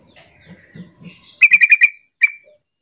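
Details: Sooty-headed bulbul calling to set other bulbuls calling along: a rapid run of five sharp chattering notes, then a single matching note after a short pause, with faint low knocks beforehand.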